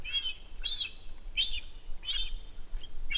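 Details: A cinereous vulture fledgling on its nest at Rascafría, Sierra de Guadarrama, calls for food as its mother approaches. Shrill, arching squeals come roughly every half second to second, with faint low background noise.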